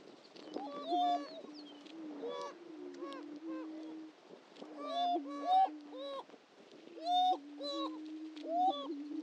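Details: Greater prairie-chickens at a historic lek on Dunn Ranch Prairie, Hatfield, Missouri: several low, steady moaning booms overlap, broken by sharp rising whoops and cackling calls in bursts about every two seconds.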